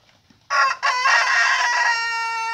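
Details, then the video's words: A rooster gives a loud, sustained crow. It is strongly harmonic and bright, starts abruptly with a brief break, then holds a steady, ringing tone to the end. "Galo músico cantando"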